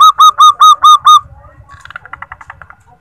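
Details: Female zebra dove call played to encourage males to sing: six loud, quick, hooked coo notes in just over a second, followed by a fainter, rapid chattering series and low rumbling.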